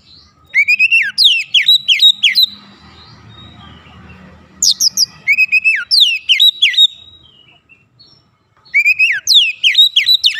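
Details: Oriental magpie-robin song used to provoke rival magpie-robins into emotional, continuous singing; three loud phrases of fast, bright downslurred whistles, broken by pauses with soft background rumble.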